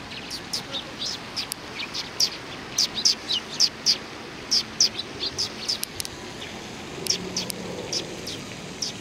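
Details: Sparrows gathered on a bench at a Tenmangu shrine, Japan, 30 January 2020, giving quick bright chirps in irregular bursts, several notes a second at the busiest moments, with a faint low murmur behind.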